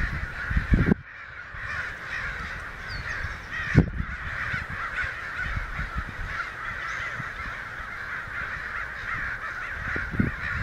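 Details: Perhaps a hundred American crows raising a racket down a street in Santa Rosa, May 29, 2013; an unbroken wall of raucous overlapping cawing, with dull low thumps of handling noise near the start, middle and end.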